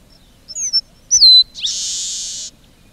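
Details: Red-breasted meadowlark: short high whistled notes and a bright downward-slurred note, then a long, even, hissing buzz lasting about a second, with clean quiet surroundings.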